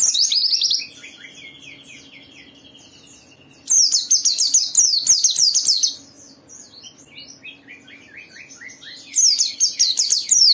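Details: White-eye (pleci) song, played to prompt other white-eyes to sing: loud bursts of rapid, high, descending chirps, with a thin level whistle, quiet twittering in between and a faint steady hum beneath.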